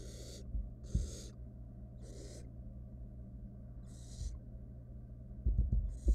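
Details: Wild barn owl chick inside a nest box camera setup, during feeding on a whole rat: a few breathy screechy hisses spaced irregularly, then scraping thumps near the end over a low hum.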